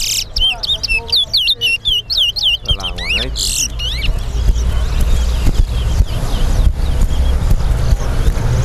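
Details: Towa towa bird singing in a competition at Sheriff Street bird ground, Guyana: a fast series of sweet whistled, sliding notes for about four seconds while a man counts aloud, then loud crowd and traffic noise.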